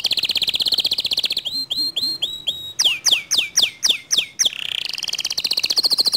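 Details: A canary sings a song said to provoke other canaries into song. A sustained high rolling trill gives way to slow repeated whistled notes, then sharp downward sweeps, and ends in a buzzy roll.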